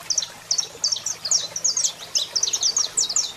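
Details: Saffron finch singing, a male with a female calling nearby: an unbroken string of shrill, high twittering notes, rapid and slightly uneven in rhythm, over a faint steady hum.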